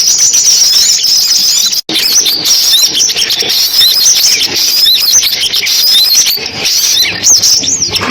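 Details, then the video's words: Lure recording of sunbird song for speaker trapping: continuous thin, high twittering with arched whistled notes and quick chirps, cut briefly by a moment of silence early on. "tiếng chim hút mật tổng hợp dùng bẫy loa"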